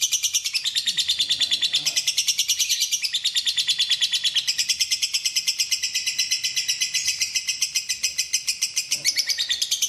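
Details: Lovebird song used as a training recording for other birds, described as clear and with pauses: fast, continuous high chattering of sharp repeated notes, about two per second, steady throughout with brief shifts in pitch.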